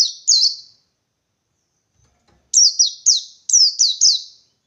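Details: Wild white-eye seeking a rival, a couple of high chirps, a pause, then a rapid series of six sweet descending notes.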